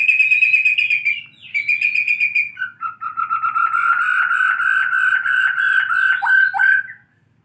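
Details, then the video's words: White-rumped shama learning canary song, delivering loud rapid trills: a high buzzy roll, a second similar roll, then a lower fast pulsing trill lasting several seconds, ending in two downslurred notes. "MURAI BATU BELAJAR BUNYI BURUNG KENARI"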